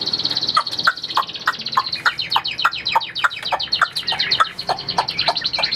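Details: Chinese hwamei delivering a quick run of evenly spaced short notes, roughly three or four per second, over a constant high ringing tone throughout.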